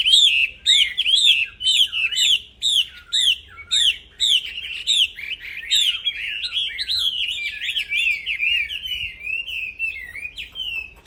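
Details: Caged black-throated laughingthrush, used to train other songbirds, opening with a rhythmic series of sharp, bright repeated phrases roughly twice a second, then flowing into continuous slurred chattering whistles.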